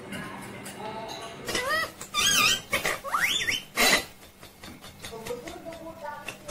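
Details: Pet ringneck parrot, its talking of "mummy papa" mixed with sharp squawks: loud screechy upward sweeps and clicks in the middle, softer muttered syllables before and after, low hum underneath.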